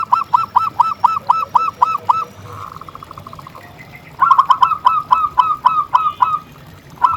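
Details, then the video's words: Zebra dove, local bird singing persistently as a lure for other doves: crisp hooked coos repeated quickly, a faint rapid trill in the middle, then another loud run of about eight notes. "Suara Perkutut Gacor yang Akan Membuat Burung Sekitar Langsung Nyaut!"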